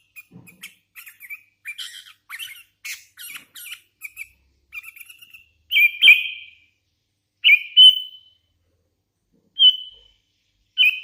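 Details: Hand-reared Sooty-headed Bulbul, an active singer, starting with soft rapid chirps and twittering notes, then switching to louder, clear whistled notes repeated every one to two seconds.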